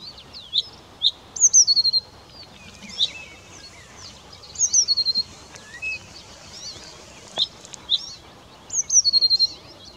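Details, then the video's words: Blyth's reed warbler sings an unhurried string of high, varied phrases, each set off by brief pauses, with a slurred descending whistle recurring every few seconds over faint background hiss. "Viitakerttunen laulelee"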